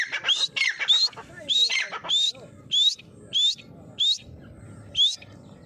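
Grey francolin calling in shrill, rising whistled notes, first a quick tumbling burst, then evenly repeated about every half second over a low background rumble.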